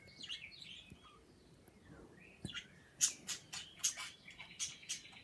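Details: Two pet birds making kissing sounds and chirping: high thin chirps and swooping whistles, then a run of sharp, clicky smacking notes about every half second, over a steady low background hiss.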